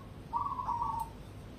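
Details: Competition-grade cemani zebra dove giving a single short cooing phrase, a mid-pitched purring note with a slight stutter lasting under a second, over a quiet background hiss.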